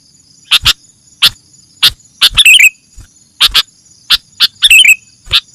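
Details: Sooty-headed bulbul call for luring wild birds: crisp chips repeated every half second or so, with two short bubbling warbled phrases, and a thin continuous high hum in the background.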